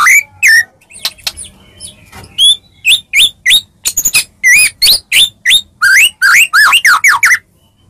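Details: Medan white-rumped shama in full fighting-lure song, meant to make rival shamas answer: clipped whistled notes and short sweeps delivered about three per second, some rising, some falling, with brief pauses between bursts.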